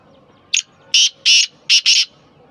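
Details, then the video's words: Black francolin, known locally as kala teetar or Sindhi teetar, giving its harsh call: one short rasping note, then four loud grating notes in two close pairs over about one and a half seconds, against a faint background hum. "kala teetar ki awaz black teetar ki awaz sindhi teetar ki aeaz"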